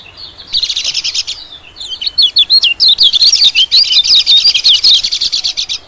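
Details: White-eye lure call for attracting small birds: a buzzy high trilled burst followed by a long run of fast, jumbled high chirps and twittering notes, loud and continuous.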